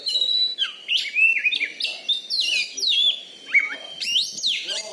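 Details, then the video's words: Loud, prize-winning caged Oriental magpie-robin from Bengkulu, kept for song contests and noted for its fighting style. A continuous stream of bright whistled phrases, steep up- and down-slurred notes and clear trills, with no pauses. "BURUNG KACER JUARA DI BENGKULU"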